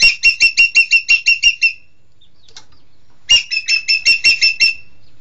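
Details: A green magpie (Cissa chinensis) gives two bursts of rapid, harsh, squeaky notes, about six per second, with a short pause between the bursts.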